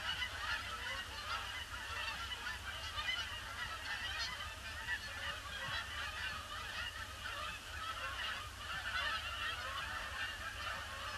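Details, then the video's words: Large numbers of Canada geese pouring in and circling the pond before landing, grey Boxing Day; dense, unbroken honking from a big flock, nasal calls overlapping continuously over a steady low rumble. "Huge influx of Canada Geese"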